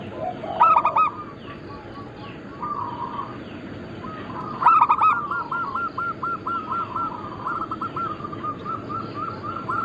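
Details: Group of local zebra doves and Bangkok crosses, recorded as lure and training material for doves, with loud clipped cooing phrases near the start and at about 5 seconds, then a long even run of repeated coo notes from further birds, steady background hiss.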